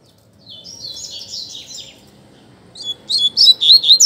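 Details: Singing contest between coleiros, double-collared seedeaters: a soft warbled high phrase, then a loud run of quick, sharply swept chirps repeated about four times a second.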